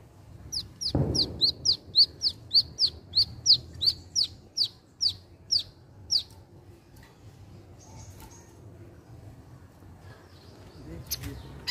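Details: Wiceh bird repeating high, thin, down-slurred chirps about three times a second for several seconds, then falling quiet, leaving faint background noise and a brief thump.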